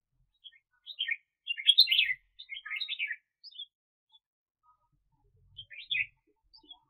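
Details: Red-whiskered bulbul held as a decoy to trap wild birds, 2021: a string of short, chattering warbled phrases in uneven rhythm, pausing before one final brief phrase.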